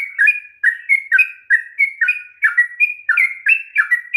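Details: Sooty-headed bulbul's long ropel song, used to rouse a lazy bird: a steady stream of paired whistled notes, each dropping in pitch, repeated quickly without pause.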